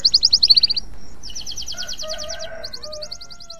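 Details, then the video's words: Male canary in breeding condition, song of quick high trills in bursts of repeated notes, broken by brief pauses, with lower whistled tones underneath midway. "SUARA KENARI JANTAN BIRAHI"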